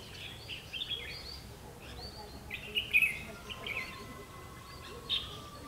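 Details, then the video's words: Bird-trapping session for Red-whiskered bulbul, fiery eye-rim type, 31 October 2016: scattered clear chirps building to a loud, warbled burst midway, then a few softer notes, with steady background hiss. "Bẫy chào mào mí lửa"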